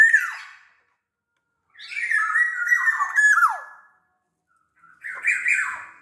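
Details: Black-naped oriole from Sumbawa in full voice, used to prompt other orioles to sing: a short rasping note, then a long mix of squawky and whistled notes ending in a sliding drop, and a final harsh burst.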